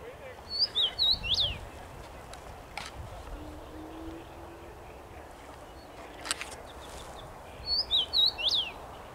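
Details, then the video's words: Common rosefinch singing from a tree on 23 May 2021, the same short whistled phrase of slurred notes with an upswept ending repeated twice several seconds apart over a steady outdoor hiss. "Dziwonia śpiewa na drzewie."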